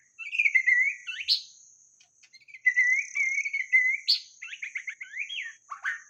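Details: White-rumped shama song for luring: long warbled whistles held near one pitch, sharp high flicks, then a quick series of buzzy repeated notes and a final falling slur, with a steady high whine.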